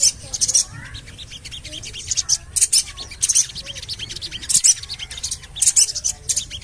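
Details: Bright, hissing high chirps of the Javan cochoa recur in clusters through a 'cuit cuit cuit' lure call for coaxing birds into song, with low whistled notes beneath.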